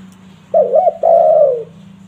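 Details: Spotted dove (tekukur) call prized for luring wild doves: a single phrase of two quick wavering coos followed by a longer, drawn-out coo that slides downward, over a steady low hum.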